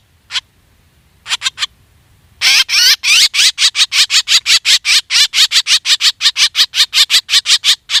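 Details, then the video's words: Black drongo calls used as a hunting lure: a few scattered notes, then a long, rapid, even train of rasping, buzzy calls at about three per second. "suab ntxias tshauv quaj dib tua 100% เสียงนกแซวดำร้อง"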